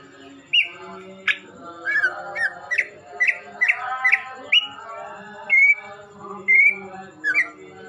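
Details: Greater green leafbird, part of a group of twelve chatty, full-voiced birds, repeating short clear whistled notes, some upswept and some flat, roughly every half second to a second, over a continuous low droning background.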